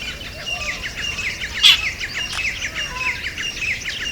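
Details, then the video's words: Rapid series of short, scratchy jungle babbler notes, repeated several times a second, broken by a single sharp crack near the middle. "Jungle Babbler Call / Babbler Bird Sound"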